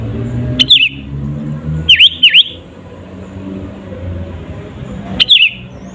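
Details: Rival-provoking sooty-headed bulbul song: three separate bursts of clear whistles, the middle one a pair of sharp down-and-up swooping notes, with faint traffic-like rumble in the background.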